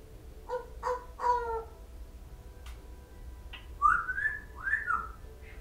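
A grey parrot gives three quick speech-like syllables with a voice-like tone, then a few clear whistled notes that rise and fall, over a low background hum.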